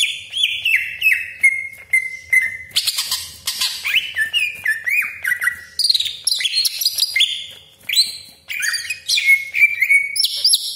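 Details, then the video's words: Greater green leafbird, kept as a provoking bird for home or contest birds, in full song with sharp 'tembakan' shots, harsh 'besetan' and long rolls: a nonstop rapid stream of sliding whistles, chattering bursts, buzzy harsh notes and trills. "CUCAK IJO GACOR DOR TEMBAKAN TAJAM BESETAN KASAR ROLL PANJANG FULL ISIAN"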